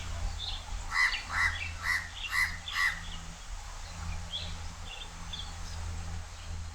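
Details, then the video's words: House crow perched high and calling loudly at Changi Beach Park, Singapore: five harsh, rasping caws about half a second apart, then fainter chirps from other birds over a steady low hum. "HOUSE CROW Call"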